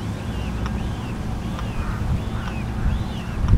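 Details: A red-shouldered hawk in Florida, preening and calling, gives four thin, arched kee-ah calls about once a second, faint beneath a heavy roar of wind.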